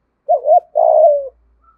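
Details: Lure spotted dove in the thổ voice style. One crisp two-part coo: a short rising-falling note, then a longer, slightly descending throaty coo, close and clean.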